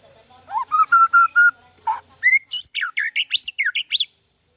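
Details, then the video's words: Captive-bred White-rumped shama singing: a rising whistle, then four level clear whistled notes, a lower slurred note, then a fast run of loud sweeping notes jumping up and down between high and mid pitches. "Kicau Merdu Murai Batu"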